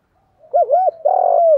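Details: Spotted dove cooing in contest, Thổ pha đồng voice style: soft lead-in, then two loud arched coos followed by a long, coarse, vibrating note that slides downward at the end.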